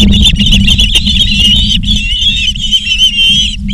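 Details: Ospreys at a nest in Charlo, Montana, on 19 August 2023 at 16:05, live camera: continuous high whistled calls with wavering pitch and rich overtones, barely pausing, over a steady low hum.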